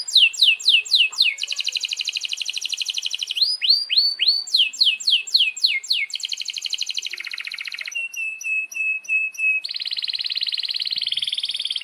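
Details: Canary in full song with long rolls, meant to train young canaries: continuous bright singing alternating sweeping whistled notes, fast rattling trills, short piping notes and a steady high buzzy roll, with no pauses.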